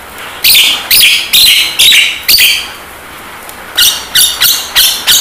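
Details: Javan myna from a singing and talking training recording: a run of rasping, screechy notes about twice a second, a short pause, then a quicker series of the same harsh notes over a low hiss.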